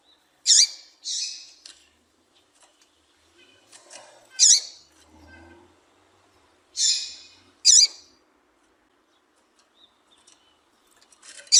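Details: Captive female Double-collared seedeater (Sporophila caerulescens) gives sharp, high, buzzy chips, singly or in pairs, a few seconds apart at an uneven pace, over a quiet background; a call used to stimulate males to sing.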